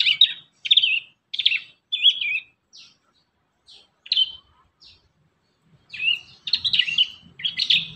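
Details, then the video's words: Prinia song to teach young prinias: separate high chirped phrases at roughly half-second spacing, then a pause and a denser run of trilled notes. "Masteran | pancingan burung prenjak muda | prenjak bakalan"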